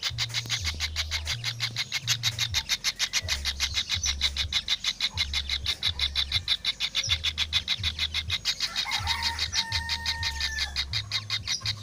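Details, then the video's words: Kingfisher chick calls: harsh, buzzy, high-pitched notes repeated rapidly, about three per second, in a steady pulsing series. A low, stuttering mechanical hum runs underneath, and a brief clear whistled tone appears near the end. "suara anakan burung tengkek udang"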